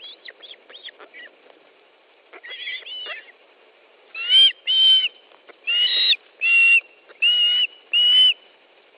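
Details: At an osprey nest in Estonia on 10 July 2013, 13:20, as fish is delivered: soft chirps, then a steady series of loud, clear whistled calls, roughly every two thirds of a second.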